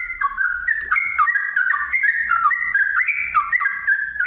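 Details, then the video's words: Loud, close sooty-headed bulbul (trucukan) in the ngiwir and long ropel style: a continuous stream of rich liquid notes swapping between two pitches, with faint low background noise. "TRUCUKAN GACOR ngiwir lanjut ROPEL PANJANG"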